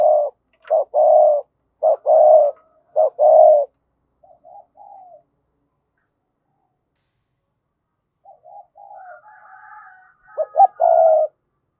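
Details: Decoy spotted dove calling to lure wild doves: loud phrases of short and long husky coos in the first seconds, then quieter distant coos, a silent gap, and a final loud burst of coos.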